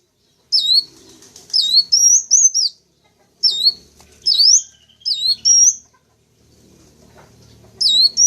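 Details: Lure calls meant to draw in wild sunbirds, local types Kolibri Wulung, Kaca and Jentit. Brief groups of high curling whistles and sharp chips come in bursts separated by quiet gaps, with faint low rumbling underneath.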